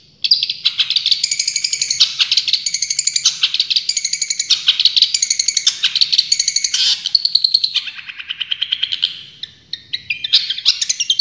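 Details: Champion long-tailed shrike in full tembakan song, a dense, unbroken run of loud, high, chattering notes fired rapidly for over eleven seconds. Rasping bursts are mixed with clear whistles, and the pace stays fast throughout.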